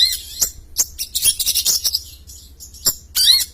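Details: Champion long-tailed shrike in full, lively song: a varied run of sharp, high chirps and short rasping bursts, some notes sliding downward, with brief pauses between phrases.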